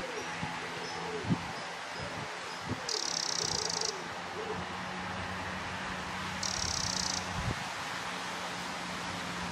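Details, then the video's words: From on top of a fence post, a Eurasian wren gives two dry, rattling churrs, each about a second long and a few seconds apart, over low rumbling background noise. "Eurasian Wren calling out"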